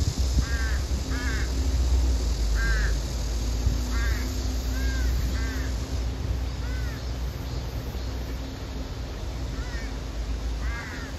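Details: Female crow repeatedly begging a male to share his hidden food; ragged, nasal, down-slurred caws come in irregular pairs and singles across the stretch, with a faint steady low hum and high hiss behind.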